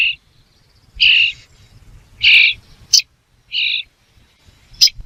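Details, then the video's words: A bird gives short, harsh, raspy calls about once a second, mixed with sharper high clicks, against a faint low rumble. "The sound of a bird"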